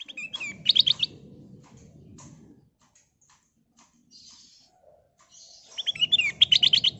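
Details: Sooty-headed bulbul song used as a lure to make other birds sing: a burst of bright, quick whistled and chattering notes, a silent pause, then another lively trilling phrase, over a low rumbling background.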